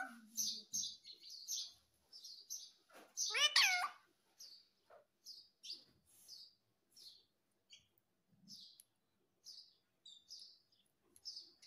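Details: Talking parrot said to say "mummy" and "papa"; short high chirps repeat through the clip, with one louder rising-and-falling harmonic call near the middle, indoors and without other sounds.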